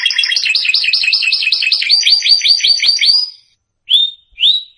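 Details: Canary singing as a training model for young birds: a rapid series of bright looping whistled notes repeated steadily for three seconds, a pause, then two separate clear rising whistles.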